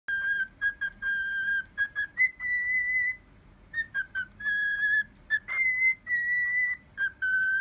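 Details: A cockatiel whistles a learned horse-racing fanfare: clear, pure notes in quick staccato bursts, then long held tones stepping up and down in pitch, over faint room hiss.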